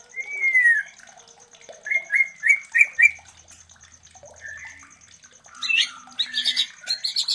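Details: White-rumped shama mating sounds played to trigger breeding in other shamas: a falling whistle, a series of four rising whistled notes, a quieter gap with a few soft notes, then high, busy chattering.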